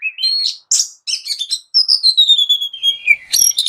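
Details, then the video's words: Kacer (Oriental magpie-robin) singing short rising whistles, buzzy notes, then a long smoothly descending whistled glide ending in sharp chips, from a masteran recording of fill-ins and bursts. "Masteran Mewah Burung Kacer Full Isian Dan Tembakan"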